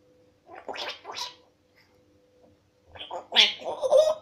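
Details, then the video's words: 12-month-old African grey parrot asking for a peanut, giving two bursts of raspy, gurgling, speech-like sounds, the second louder and more tonal, over a faint steady indoor hum; Grey parrot. "gris du gabon 12 mois demande une cacahuète"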